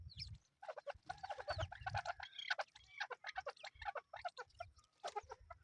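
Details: Chukar partridge chicks calling in a busy chorus of short clucking and chirping notes, many overlapping and repeated rapidly, with a low rumbling background beneath them.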